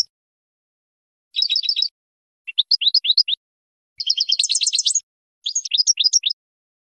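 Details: European goldfinch training song for young birds, four short twittering phrases separated by gaps, mixing rapid trills with sharp rising chirps.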